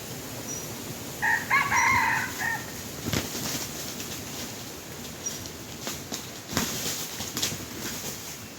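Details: Red junglefowl luring with a domestic chicken: one rough, layered crow lasting over a second, then sharp knocks and rustling clicks against steady outdoor hiss.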